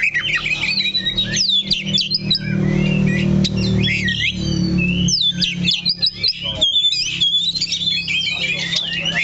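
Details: Oriental magpie-robin in a cage, perched in one spot, singing bursts of bright whistles and fast chirping runs while music plays steadily in the background.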